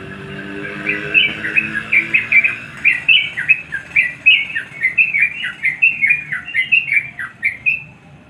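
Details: Sooty-headed bulbul calling a rival with a long, fast chattering run of bubbly, liquid notes, many slurring downward, steady for seven seconds before ending on a short held whistle.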